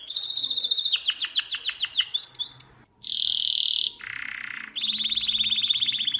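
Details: Domestic canary song for teaching young birds to sing: rolling trills, a rapid series of falling notes, a steady bright tour, a lower buzzy roll and a long high trill, continuous and loud.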